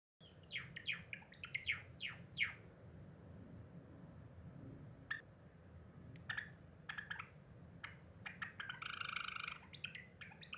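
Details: Cinnamon Java sparrow, a pet bird indoors, sings while gazing out the window, recorded 7 April 2021: quiet, quick descending chirps, then scattered clicks and a short buzzy, bell-like burst near the end over a low room hum.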